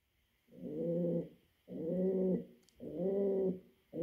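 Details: Male pouter pigeon cooing to the female for mating: three deep, sustained coos about a second long at a steady pace, with the start of a fourth.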